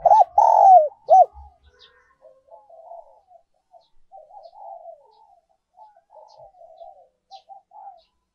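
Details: Spotted dove decoy, 'giọng còi' or 'giọng kim' voice: one loud coo phrase of hooked note, long falling coo and short end note, then a long run of faint, soft, wavering cooing notes.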